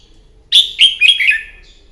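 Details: Red-whiskered bulbul delivering a loud, rich fighting song in the morning, used to train a bird: one quick phrase of three or four bright warbled notes trailing off downward.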